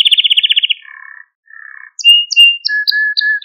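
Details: Canary on a recording made to train and stimulate young canaries; a quick high trill gives way to softer, lower buzzy trills, a pause, then separate clear whistles and short chirps.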